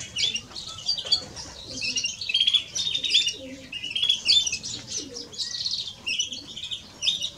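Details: European greenfinch song, male and female: a continuous high twittering of quick chirps, short trills and clipped whistled notes, bursts running almost without pause.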